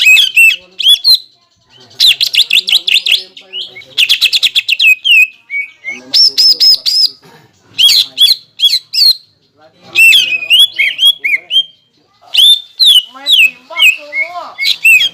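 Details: Greater green leafbird in full contest-lure song, used to make rival birds fight at competitions: loud phrases of rapid chattering notes alternating with clear whistled slurs and sweeping trills, separated by short silences.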